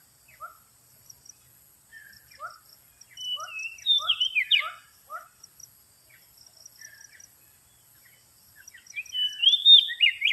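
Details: Oriental magpie-robin sound used to lure birds: spaced short slurred notes, a mid-clip rush of twisting whistled phrases, quieter chirps, then another bright warbling outburst near the end, with a steady high whine behind.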